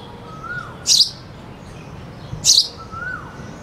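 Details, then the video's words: A sparrow gives two bright, sharp chirps about a second and a half apart, while a cuckoo sings in the background as a faint, slurred whistle between them. "sparrow bird sound (with cuckoo singing in the back)"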